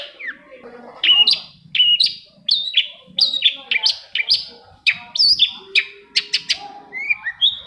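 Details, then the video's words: Long-tailed shrike song played to prompt quiet shrikes to sing: rapid varied phrases of sharp chirps and short whistled notes, some with harsh buzzy edges, delivered in quick bursts with brief pauses, sharp clicks near the end. "PANCINGAN AMPUH!!! UNTUK MEMANCING CENDET PENDIAM YANG LAGI MALAS BUNYI"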